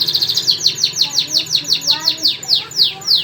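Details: Canary song from a white canary and a crested canary, a rapid series of loud descending whistled sweeps repeated about three times per second, with a soft low hum beneath.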